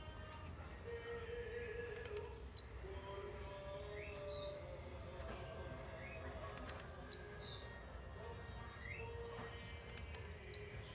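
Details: A young blue-black grassquit from Jacarepaguá, Rio de Janeiro, gives slow, partial rasante-style song: loud, high, buzzy falling phrases repeated roughly every four seconds, separated by sharp thin ticks, with a faint low tone in the background.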